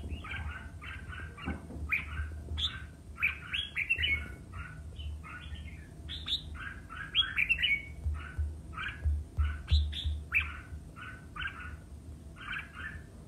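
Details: Red-whiskered bulbul in competitive singing: rapid bursts of short, bright, bubbly whistled notes in quick chattering phrases, several notes per second, with a steady low hum and a faint high electronic tone behind.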